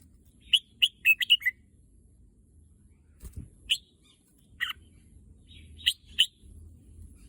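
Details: Pet red-whiskered bulbul, said to be eager to go to the contest field, gives a burst of quick chirpy whistled notes, then scattered single sharp notes after a pause, with a soft low thump mid-way.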